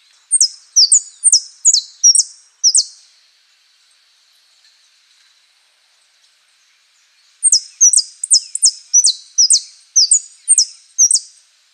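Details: Saffron finch (Sicalis flaveola) song in the style known as "Osama" with prio, golpe and pitada: two bursts of high, bright, sharply falling notes repeated in quick series, separated by a silent pause of several seconds.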